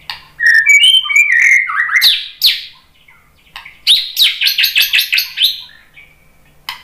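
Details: White-rumped shama song for luring other shamas: sweet whistled warbles rising into sharp sweeps, then a fast series of buzzy repeated notes, about eight in a row.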